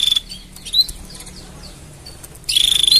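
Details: Canary mating song: a short high rolling trill opens, then a quiet stretch, then a longer fast-pulsed trill at the end, with faint chirps in between.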